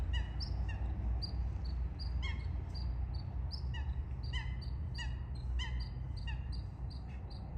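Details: Eurasian coots in a fight: a dense run of loud, abrupt, metallic calls, often in quick pairs and overlapping as if several birds answer each other, over constant low background rumble.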